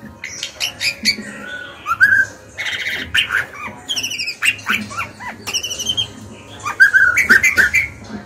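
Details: Caged female white-rumped shama singing to stir males and young birds into singing; a rich run of whistled notes, clicks and rapid trills with downward slurs, delivered in bursts across the stretch, faint low hum beneath.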